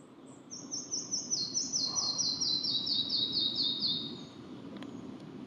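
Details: Full song of a red-breasted flycatcher: high introductory notes, then a long accelerating series of repeated whistled notes that drop in steps and trail off after about four seconds; low steady background noise.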